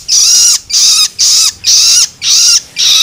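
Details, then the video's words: Juvenile long-tailed shrike calling loloan-style to stimulate adult birds; six rasping, hissing begging notes, each with a curved falling whistle-like tone beneath, repeated almost twice a second. "Merangsang Burung Cendet Dewasa Dengan Suara Loloan Anakan Cendet"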